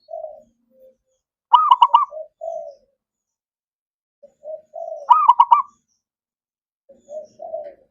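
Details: Zebra dove singing, played to get quiet doves to sing: soft low coos lead into a rapid stuttered cooing burst, repeated twice, with more soft coos trailing after.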